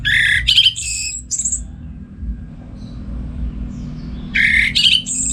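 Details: Orange-headed thrush singing in the morning at home for training other songbirds: harsh, buzzy squawking notes in a quick burst, a long quiet gap with low hum, then another scratchy burst.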